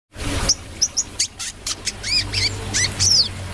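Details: Brown-throated sunbird singing: a run of sharp, high chirps and short upward-hooked whistles, spaced roughly every quarter to half second, over a low background hum.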